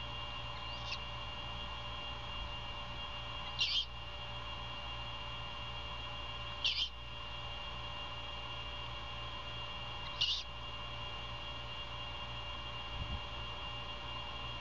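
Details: Savannah great horned owls at their nest, an old Bald Eagle nest, mother feeding her owlet early in the morning, 21 February 2022; brief harsh rasping screeches repeat about every three seconds, four in all, over a low electrical hum.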